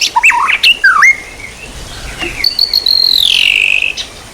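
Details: White-rumped shama song used as training material for songbirds: quick varied whistled and chirping notes, rising and falling slurs, then a long sliding whistle easing downward, over light background hiss.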